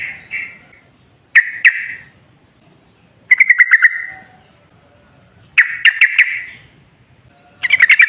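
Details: Yellow-vented bulbul singing short, punchy phrases of rapid bubbly notes, each burst about a second long and separated by quiet pauses. The song serves as a lure to prompt other bulbuls to sing.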